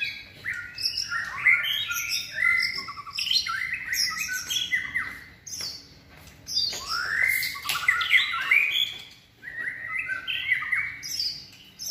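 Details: White-rumped shama in its third moult season, trained for singing contests, giving bursts of bright, high, rapidly varied whistles and chips separated by short quiet gaps.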